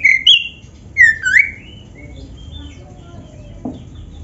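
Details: Oriental magpie-robin of the black-breasted form, singing as a training lure for caged birds: three or four loud twisting whistles in the first second and a half, then faint scattered notes and a soft click.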